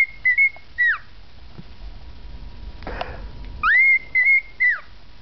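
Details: Pet male cockatiel whistling tunes it learned, the Andy Griffith Show theme and a Schubert "Trout" Quintet melody: clear, high, sliding whistled notes in two short phrases, each note rising then bending down, separated by quiet and one brief rustling burst.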